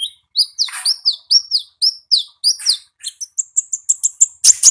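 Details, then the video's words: Konin in full lively song from wild nature: repeated high, sliding squeaky notes at a steady pace, then quickening into a fast series of sharp, thin chips that ends in a scratchy burst. "AUDIO KONIN GACOR NGALAS Suara Asli Alam Liar"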